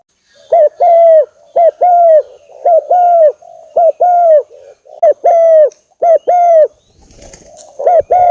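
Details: Spotted dove lure recording meant to provoke a rival into answering: dense, overlapping runs of paired mellow coos with a faint higher overtone, repeated rapidly for several seconds, ending in a brief burst of rustling noise.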